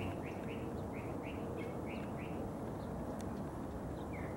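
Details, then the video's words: Early-morning mockingbird singing from a neighbor's tree about 50 yards from the house: a run of identical short rising chirps about two per second, then a few scattered notes, under loud steady rumbling noise. "Song of the Mockingbird"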